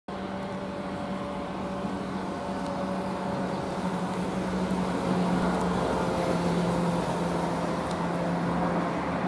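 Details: Steady roadside traffic rumble with a constant low hum and a fainter tonal drone, and no animal voices.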